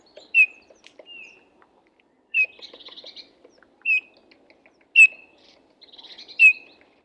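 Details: Soft, melancholy piping of a Eurasian bullfinch, a short falling whistle repeated about every second or two, several followed by faint buzzy chatter.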